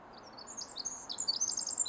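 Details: Pacific wren of the Pacific Northwest forest undergrowth, delivering a swift, very high, jumbled song of squeaky notes and rattling trills that rises in loudness, over a quiet low hum.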